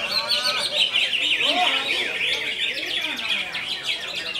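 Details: "Konslet" style song from a greater green leafbird: a bright, chattering rush of high notes with a buzzy trill near the start, one lower slurred whistle in the middle, then quick scratchy chirps.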